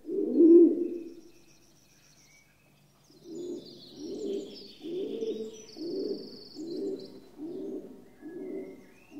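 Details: Rock dove giving one loud, low coo, then after a pause a run of seven softer, evenly spaced, burbling coos, with faint high chirping from other birds.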